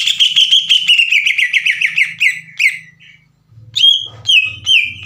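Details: Lure song of a vigorous green leafbird meant to stir other leafbirds to reply: a quick rattling series of whistled notes dropping gradually in pitch, a short silence, then louder clear whistles with a low buzzing hum underneath.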